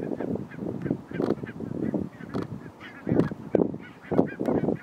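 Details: Massive flock of Barnacle geese in Nationaal Park Nieuw Land, Flevoland, the Netherlands, giving a constant chorus of short barking honks, many birds calling at once, with louder bursts near the end.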